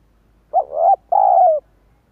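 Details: A spotted dove's cooing used to draw in wild doves: one clear two-part phrase, a brief rising coo and then a longer, steady, mellow coo that falls slightly at the end, with near silence around it.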